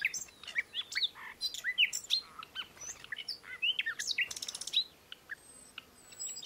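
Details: Scattered rolling, slightly buzzy calls of European bee-eaters, short notes spaced irregularly and overlapping from several birds, with a brief quick rattle near the end.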